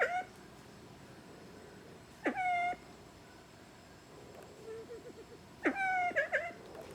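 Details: Male Siamese fireback foraging in dry evergreen forest at Sakaerat Environmental Research Station, Nakhon Ratchasima, Thailand: loud, nasal, mewing calls rising sharply then levelling off, in three bursts a few seconds apart, with soft low clucks between.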